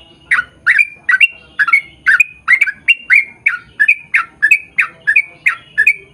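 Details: Long 'ropel' singing of a yellow-vented bulbul, played as a lure for its own kind: rapid liquid gurgling notes, each dipping then rising into a short whistle, repeated about twice a second without break.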